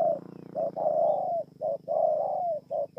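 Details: Spotted dove singing in Kon Tum, Vietnam, recorded 28 November 2017: mellow cooing phrases, short notes followed by longer drawn-out coos that fall slightly at the end, repeated in a steady pattern over a low background hum.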